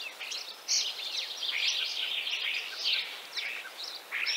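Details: A Common Starling in Central Russia pours out a tangled stream of squeaky chatter and whistled twists, louder after a brief opening lull.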